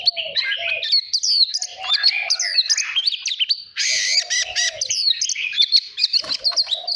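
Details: Caged Oriental magpie-robin kept for voice training and for stimulating contest singing. It gives a rich, rapid stream of varied whistles, slurred upsweeps and chattering notes, backed by softer low warbled notes.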